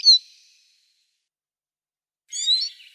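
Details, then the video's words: Eurasian siskin: one bright, high, slightly descending whistled note, then after a two-second pause a short harsh buzzy twitter. "Чиж (Spinus spinus), Eurasian siskin. Голос птаха, the voice of a bird."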